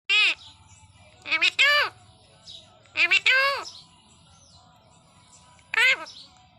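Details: Pet talking parrot mimicking its own name: four short, harsh, nasal, word-like utterances, some doubled, spaced irregularly over several seconds, with a faint low hum behind.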